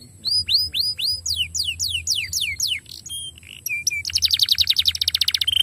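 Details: Canary song played to stimulate canaries to sing: a run of repeated sweeping whistled notes, then short buzzy elements and a fast rolling trill of rapid notes near the end, all high-pitched and loud.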